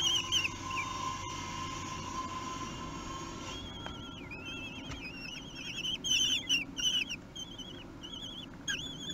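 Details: Common kestrel chicks, three weeks old, begging while being fed at the nest on 8 June 2021 in Théding, France; after a steady hum, thin wavering whistled cries with harmonics come in quick bursts, loudest in the second half.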